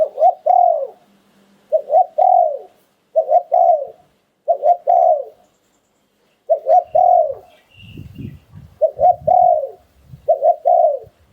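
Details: Spotted dove repeating 'liu tan' style cooing phrases roughly every one and a half seconds, eight phrases of short, looped and long falling coos, with low thumping knocks near the end.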